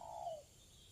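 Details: A spotted dove, a decoy bird used on a Friday afternoon, gives a single soft, mellow coo that slides slightly downward, calling out to rivals, none of which has come yet.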